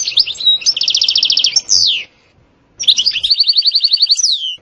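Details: European goldfinch song featuring sitsata and batbata passages, termed very stimulating: two bursts of even rapid trills ending in a long descending slurred note, separated by a silent gap.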